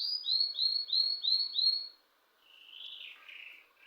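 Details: A bird at home chirps five clear, quick downslurred whistles in a row. After a short pause comes a softer, buzzy warble.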